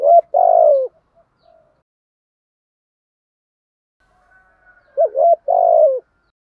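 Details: Spotted dove, male and female, cooing to stir up contest behaviour in trained birds; low mellow coos near one pitch, a pair of notes at the start and a short stuttered coo followed by a longer one at the end, quiet gap between.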